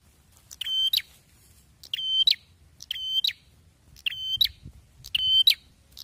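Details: Prinia singing loudly and persistently: five strident, buzzy phrases in about six seconds, each a steady harsh note about 0.4 seconds long ending in a sharp upward flick, over a faint low rumble.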